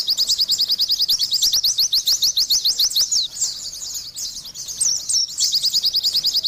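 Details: Dense, rapid chattering song of an Oriental white-eye: tight runs of sharp ascending chirps, a brief pause, then more tumbling high whistles and chirp series.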